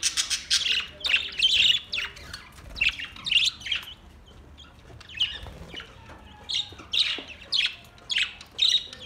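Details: Several budgies singing on August 4, 2023, a steady stream of high, scratchy, chirping phrases in rhythmic bursts roughly every half second, with brief quieter stretches between louder flurries.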